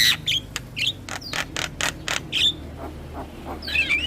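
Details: Javan myna song used to lure mynas and starlings: clipped whistles and a string of rasping bursts, then softer notes and a twittering whistled phrase at the end.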